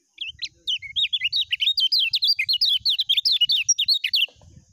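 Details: Lemon-bellied white-eye in a full, continuous 'ngejos' song style: a rapid run of sharp, high chirping notes, about four per second, steady and unbroken for roughly three and a half seconds, then stopping abruptly.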